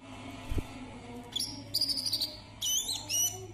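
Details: [['Brown-throated sunbird in Kalimantan giving high, thin whistled phrases and buzzy chirps, some sliding downward, with a soft low hum and a single dull knock early on.']]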